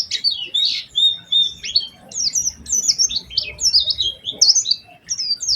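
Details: Lure song of an Oriental white-eye, used to set other white-eyes singing, lively and richly phrased: dense, unbroken high twittering of squeaky sweeps and chirps throughout.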